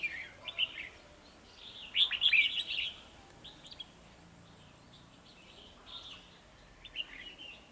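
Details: Red-whiskered bulbul at a trapping site on 9 December 2020, two males challenging a decoy bird: bursts of rich, chattering warbled whistles, loudest around the middle, then softer scattered phrases repeated at irregular intervals over light hiss.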